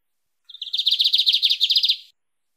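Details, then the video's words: Lined seedeater giving the 'mateiro' song, for training or warming up a kept bird: one short high note, then a rapid, regular string of bright chirping syllables, roughly a dozen, fading at the end. "Bigodinho Canto Mateiro - Esse Canta Muito - Ótimo para Treinar ou Esquentar seu Bigode"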